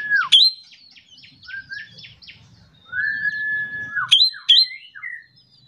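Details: Ashy drongo in morning song meant to make other birds sing: a long flat whistle, sharp high whip notes, and a run of jumbled twittering phrases.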